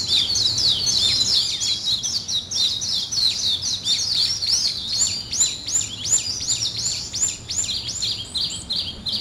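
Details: Morning chorus of high chirps, starting as a dense jumble of tweets and settling into a clear repeated series of rising-then-falling whistled notes, roughly three per second.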